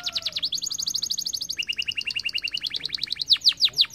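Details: Canary in full song: fast trills switching between high and lower pitches in distinct tours, finishing with several loud, slower downslurred notes.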